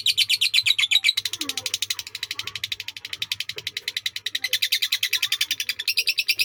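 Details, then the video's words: Lovebird from Indonesia singing a drawn-out sakera song: dense, rapid ticking chatter that fades slightly midway and swells again, with faint low background sounds. "Love Bird SAKERA durasi panjang"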